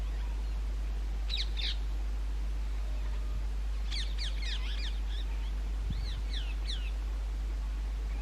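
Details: Rose-ringed parakeets at natural nest holes in old railway bridges in summer breeding season; short clusters of shrill, arched squawks, a quick run in the middle, with a faint low thump.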